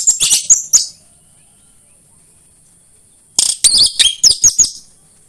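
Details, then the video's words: Singing orange-headed thrush in a lure recording for home-kept birds: rapid, bright chattering notes mixed with clear whistles in two bursts separated by about two and a half seconds of quiet, with a faint high hum. "PANCINGAN AMPUH UNTUK BURUNG DIRUMAH UNTUK SEGALA JENIS ANIS MERAH SUAPAYA CEPAT GACOR"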